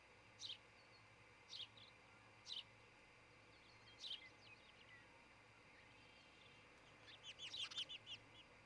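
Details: Nesting osprey pair in Charlo, Montana, recorded by a nest cam early on a June 2018 morning: sharp high chirps spaced about a second apart, ending in a rapid run of piping notes over steady background hiss.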